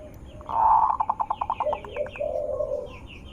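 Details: Zebra dove cooing to lure other zebra doves into answering: a loud opening note, then a rapid stuttering series of short pulses, ending in a lower drawn-out purr, with thin higher chirps and steady background noise.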